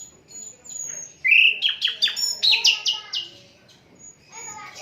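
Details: Asian brown flycatcher, unedited recording used for tutoring songbirds: a thin high note, then a loud sequence of about eight quick rising-and-falling whistles over a second and a half, fading into soft chirps.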